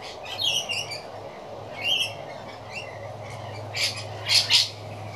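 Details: Rainbow lorikeets playing: harsh, screechy high squawks in short bursts, a cluster early on, another near two seconds, then louder paired shrieks near the end, over a low steady hum.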